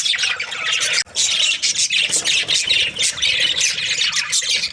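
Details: Australian budgerigars in breeding season give pulsing bursts of raspy chirping and squawks, with a short pause just after one second.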